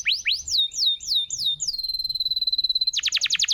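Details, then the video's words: Canary master song for prompting silent canaries: rising and falling whistled slurs, a long sustained high tone, then an abrupt rapid trill. "Suara burung masteran kenari gacor"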